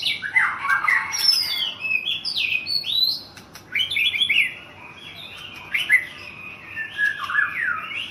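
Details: White-rumped shama, a national champion bird in Thailand, sings rich, varied phrases of rising and falling whistles with quick chattering notes, pausing briefly near the middle before resuming with looping slurred whistles.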